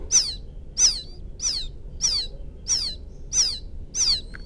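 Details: Rice-field quail chick calling its mother: seven shrill peeps, each sliding sharply downward, repeated at a steady pace of about one every 0.65 seconds over a quiet background.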